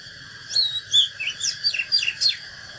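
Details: Oriental magpie-robin singing a fighting song used in training: quick varied whistled and slurred notes, several sharp downward sweeps, delivered in a short burst over faint steady background hiss.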